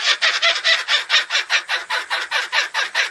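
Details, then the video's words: Kookaburra producing a frightening-sounding song of rough, broadband cackles, repeated at a quick, steady pace of several per second. "Canto assustador do pássaro Koocaburra"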